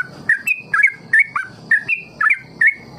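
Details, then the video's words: Bird-farm trucuk, or yellow-vented bulbul, sings a lively ropel phrase used as a lure for young birds to learn from, with gurgling, slightly rising notes delivered in quick pairs, around three per second. "Trucukan KEJORA Sangat Ampuh Memancing TRUCUK Belajar Ropel"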